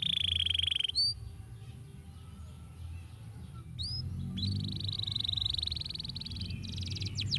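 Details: Canary singing to stimulate other birds: a sustained buzzy high trill, a pause with a few swooping notes, then another long buzzy roll and quick descending notes, with low background hum.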